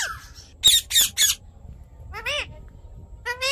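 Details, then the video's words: Natural rose-ringed parakeet calls: three grating, noisy screeches in quick succession, then a pause and two shriller, arched harmonic squawks, with a faint low hum underneath. "Natural Parrot Sounds"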